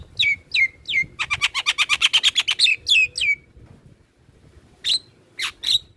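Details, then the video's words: Black-winged myna song played to stimulate captive birds to sing: three descending whistled notes, then a rapid burst of about a dozen harsh clipped notes, more downslurred whistles, a pause, and loud sharp chattering calls. "Pancingan dan MAsteran Burung Jalak Kebo dan jalak lainnya Langsung Rajin Ngoceh"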